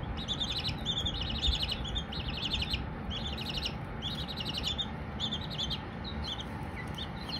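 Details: Silkie chicks, young, chirping in bursts: fast trilled series of high peeps repeated about every half second to a second, several birds at once, with a steady low hum underneath.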